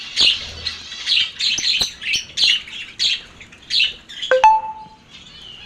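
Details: Lovebird giving a run of harsh, rasping squawks about twice a second, with a sharp whistled note near the end.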